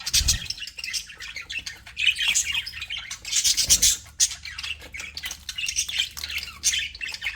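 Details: Continuous chatter from aviary budgerigars: overlapping buzzy, scratchy warbling and high chirps throughout, several birds seemingly calling at once, with a few low knocks.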